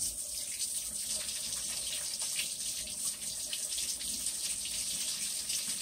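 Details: Steady running water from a tap fills the whole recording indoors, a constant hiss with no animal voice anywhere.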